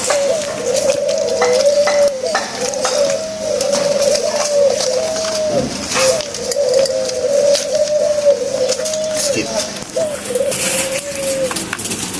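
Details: Morning cooing from caged pet doves: long, repeated wavering coo phrases with dipping ends, running back to back for most of the stretch, beside faint human voices and a low steady hum.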